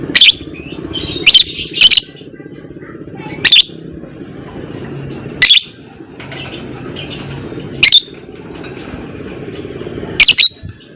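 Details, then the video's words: Fighter lovebird uttering isolated sharp high chirps every one to two seconds, sometimes in quick pairs, against a quiet low background hum. "Burung lovebird FIGHTER Ngekek panjang"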